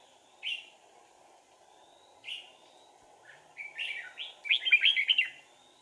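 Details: Decoy red-whiskered bulbul used in trapping, 4 April 2019: two separate clear whistles, then a building fast sequence of warbled notes ending in a loud rapid flourish.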